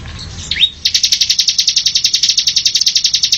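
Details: Bar-winged prinia (ciblek), semi-style song for tutoring caged birds. A single rising note is followed by a long, very rapid, high-pitched pulsing trill that carries through to the end.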